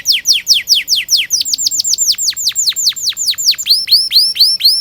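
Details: Canary singing long 'gacor' song with 'cuit cuit' chirps, used to train young canaries: rapid series of sharp, high downward-swept notes, about two per second, changing note shape partway through, with clean background.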